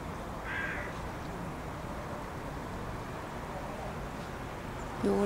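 A Eurasian jay gives one short, harsh rasping screech near the start, over steady low rumbling background noise and a brief louder sound at the end.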